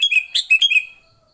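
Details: Rapid, continuous chattering of a sooty-headed bulbul's fighting song, played to lure bulbuls with no other birds mixed in: a second of bubbly, up-and-down chirps that fades out.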